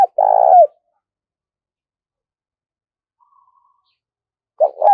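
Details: Spotted dove kept as a decoy, calling to lure wild doves: one low, rolling, buzzy coo lasting about half a second, then silence and the start of another coo at the end; no other sounds.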